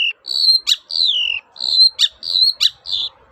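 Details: Long-tailed shrike singing actively in a toet-toet style, used as a lure to get silent shrikes singing again: drawn-out whistled notes near one pitch, one sliding downward, broken by sharp rising chips, in a quiet setting.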